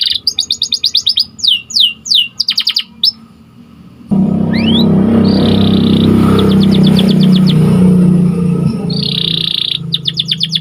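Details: White canary song used as training audio to make canaries sing more eagerly: fast, bright repeated trills and sweeping whistled notes for four seconds, then a loud low rumbling background nearly masks the continuing higher trills.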